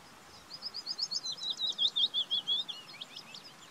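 A willow warbler sings one sweet, high phrase of about fifteen soft whistled notes that slide gently down the scale over two seconds, over a faint background hiss.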